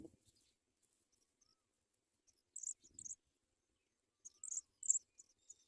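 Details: Sprague's pipit at the nest carrying food to its young. Two short bursts of high, sharp, squeaky double chips, separated by near silence, with a faint low rustle between.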